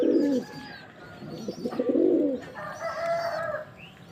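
A male pigeon gives two deep, throaty rolling coos about a second and a half apart, followed by a brief higher, more tonal phrase.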